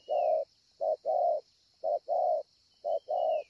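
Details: Ngọc Hồi, Vietnam, 25 March 2020: a scarred-breast 'bổi' spotted dove gives low, even coos in short-long pairs about once a second, with a faint thin whistle at the start and end and a steady high hum throughout.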